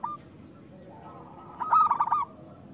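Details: Local zebra dove singing loudly as a lure for hesitant doves; after a faint soft note, one brief phrase of fast, bubbling staccato coos.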